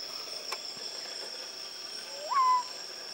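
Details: Screaming piha (Lipaugus vociferans), filmed in summer 2012 in Manu National Park, Peru, gives its loud signature call: one sweeping whistle that rises sharply, then levels off, over a steady high insect drone.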